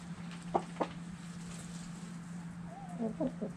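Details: Chickens dirt bathing: two sharp scratching clicks, then a pause, then a brief run of low murmured clucks, slightly rising and falling, over a constant low hum.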